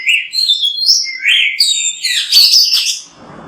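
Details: Oriental magpie-robin (kacer) singing vigorously, used as a master recording: fluid whistled slurs building into dense, high, scratchy twittering, fading into soft hiss at the end.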